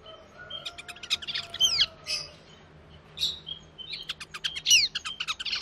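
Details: Male and female Timor zebra finches, recorded on 4 January 2020 in a busy setting with engine noise, trade high, buzzy song notes and nasal calls in quick bursts.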